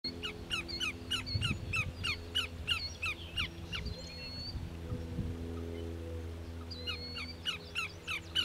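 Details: Greater yellowlegs (Tringa melanoleuca) at Grand Forks, North Dakota, 13 July 2009, giving a rapid series of ringing, down-slurred whistles, about three per second, pausing midway, over a steady low engine-like hum.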